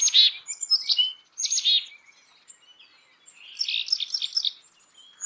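Black-capped chickadee giving three quick, husky, buzzy notes, then a pause and a rapid jumbled run of high twittering notes. No other sounds.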